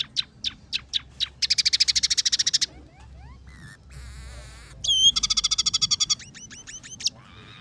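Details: Scaly-breasted munia (emprit peking), a vocal tutor bird whose song is filled with sparrow, red siskin and canary phrases. A varied medley of sharp high chips, a rapid buzzy trill, a warbled buzzy passage and bright repeated whistled notes.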